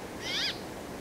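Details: Brambling giving a single short, bright note, about a third of a second long, with stacked downslurred tones; quiet background otherwise.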